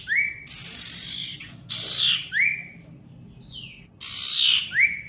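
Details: Ashy Tailorbird singing loudly, used to prompt silent tailorbirds to resume singing. Long harsh hissing buzzes alternate with single sharp rising whistles, with a low steady background hum.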